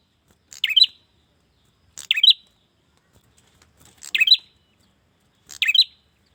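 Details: Male bar-winged prinia calling a female, giving four sparse buzzy chirps spaced one to two seconds apart against silence.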